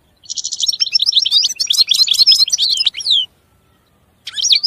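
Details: Goldfinch singing a fast twittering phrase that opens with a rapid buzzy trill, runs into jumbled tinkling notes and ends in a falling slur, then resumes briefly after a short silence.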